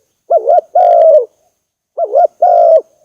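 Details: Two phrases from a spotted dove, played as a trapping lure: each a quick wavering coo then a longer, smooth, slightly falling coo, with a second of silence between.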